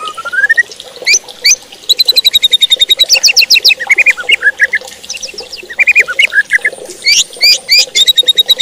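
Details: White-rumped shama song to provoke rival shamas: a rising whistle, then long rapid trills of high notes mixed with varied chattering, sweeping and mimicking phrases.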